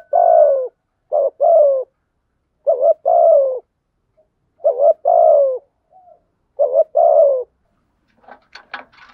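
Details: Lure spotted dove in urging coo: repeated deep, rounded two-part coos, a brief pickup note then a longer sliding-down tone, delivered in steady phrases; a few sharp clicking taps at the end.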